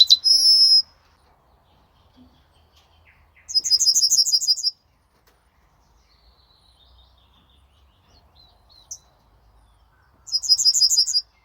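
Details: Yellowhammer song from 26 May 2026. The clip opens on the long end note of one phrase. Two later bursts of rapid, very high repeated notes are separated by quiet gaps with faint scattered chirps.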